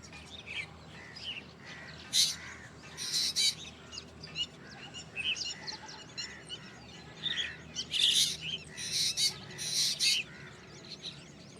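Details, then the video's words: Black drongo calling strangely, with a run of scratchy, buzzy bursts and brief chirps spread across the recording, loudest near two and eight seconds, against a constant low hiss. "Black drongo Strange Call / Sound"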